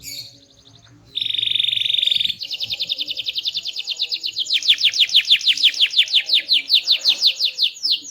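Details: Active small-bodied canary giving a loud, varied, melodious song: a flat buzzy roll, then a fast even trill that turns into a long series of rapid descending whistled notes; faint low background hum.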